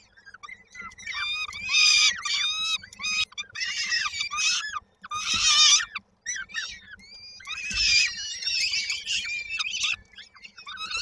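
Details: Peregrine falcon nestlings in Koszalin, Poland, 19 May 2022, begging ahead of their mother's return with food: loud grouped bursts of harsh, strained screams, broken by clear pauses.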